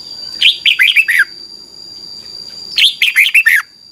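Red-whiskered bulbul giving two bright, bubbling phrases of five or six quick whistled notes, each dropping in pitch, with a steady faint high hum behind.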